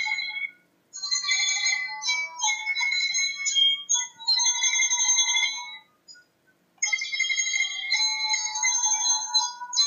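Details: A bright electronic ringtone-like melody of high, steady tones plays indoors in a small room, with two short pauses.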